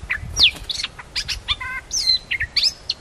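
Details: Newly trained caged red-whiskered bulbuls kept as decoy birds, two of them, singing quick bright chirps and sharp slurred whistles, some sweeping down, in a lively broken phrase over faint low background rumble.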